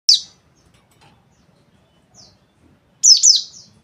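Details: Caged white-eye giving sharp, high chirps: one bright call at the start, a faint note midway, then a quick pair of piercing, slightly buzzy chirps near the end, with silence between.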